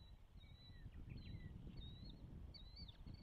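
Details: Osprey calling from its nest in Charlo, Montana, as the first egg hatched on 12 June 2024, from a nest camera: a few high, drawn-out whistled notes that slur up and down, backed by a constant low wind roar.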